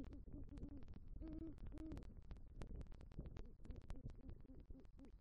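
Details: Male great horned owl bringing rodent prey to a Southwest Florida eagle nest tree at night, 3 November 2023, calling for the female: low hoots, two longer ones about half a second apart, over steady crackling and clicking.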